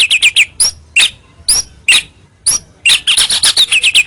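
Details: White-rumped shama song used as a lure to draw rivals closer: clear, high chirped notes in spaced bursts, ending in a fast run of repeated sharp whistles.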